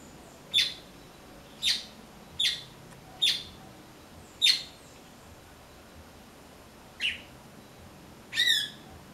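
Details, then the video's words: Blackbird that came looking for persimmons and, finding none ripe, fed on passion fruit instead; sharp, high chipping notes given singly at uneven intervals, about seven in nine seconds, with a quiet background. "Melro Cantando"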